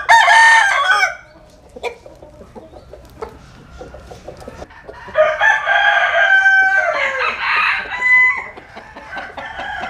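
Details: A rooster crows loudly at the start, cutting off after a second. Quieter clucking follows, then a second long crow of several segments with rising and falling harmonic notes.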